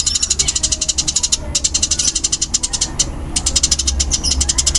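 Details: Eurasian tree sparrow of the fighting type, described as fast and dense, giving a rapid, tightly packed series of sharp high chirps, nearly continuous with brief pauses around one and a half and three seconds, over a low steady hum.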